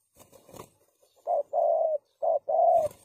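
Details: Spotted dove calling as a lure for trapping doves: after a burst of rustling and clatter, two low cooing phrases, each a short note followed by a longer, steady, hollow coo.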